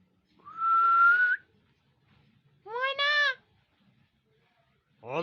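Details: Talking common hill myna offered for sale gives a long steady whistle with a breathy edge, then a short nasal, harmonic-rich bleating note, and another begins at the end.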